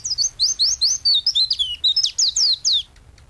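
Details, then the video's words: Lively pleci (white-eye) song from a master recording for training songbirds: a rapid, continuous chain of high, sliding whistled notes, some rising and some falling, ending abruptly after about three seconds. "Burung pleci gacor untuk masteran burung"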